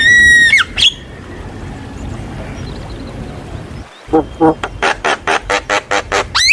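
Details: Javan myna masteran for coaxing young birds: a long whistled note at the start, a quiet gap with faint hum, then a brisk even series of harsh rasping notes.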